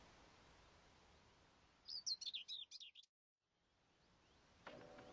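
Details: Common whitethroat song recorded on 29 April 2012. One brief scratchy, high-pitched warbling phrase of quick jumbled notes lasts about a second against steady background hiss, followed by silence.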